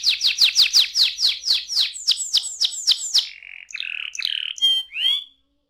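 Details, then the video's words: Singing canary, used to coax young birds into song: a quick run of falling notes that gradually slows, followed by lower flat tones and short upswept whistles before silence. "ampuh membuat kenari muda gacor"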